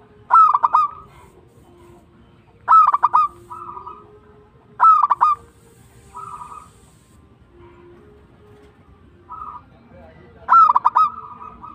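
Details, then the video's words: Local zebra dove repeating its song about every two to three seconds. Each phrase is a sharp run of four or five rapid, ringing coo notes, and gentle rolling trills fill the gaps. No other sounds stand out. "PERKUTUT LOKAL GACOR TUMBAK CUCUKAN ASLI BIKIN GACOR"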